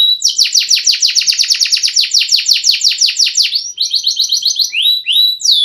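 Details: Canary song used as training material, a fast rolling trill of descending notes repeated about four times a second for over three seconds, then brief higher buzzy phrases and clear rising whistles, clean background.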